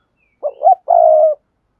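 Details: Spotted dove thúc gù coo, played to teach newly caught doves to coo: two quick rising hoots run straight into a long, level, hollow coo lasting about half a second, clean and close.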